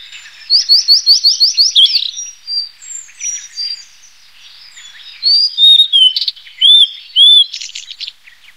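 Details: Blue-and-white flycatcher: a fast series of about eight identical rising whistled notes, then scattered notes. Later come sweet, dipping whistles and a buzzy flourish.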